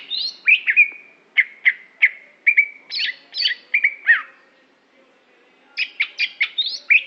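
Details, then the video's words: Greater green leafbird of the Aceh type, a competition bird: varied song of sharp whistled notes and quick downslurred chips around mid-high pitch, in bursts with a brief pause before a final run of rapid notes. "Cucak Hijo Aceh Prestasi"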